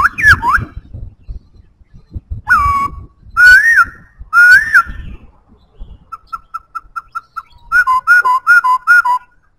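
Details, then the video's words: White-browed laughingthrush sings loud, clear whistled phrases that swoop up and down, then a quick run of six short, even notes and a rolling series of falling whistles. "Khướu bạc má hót cực hay"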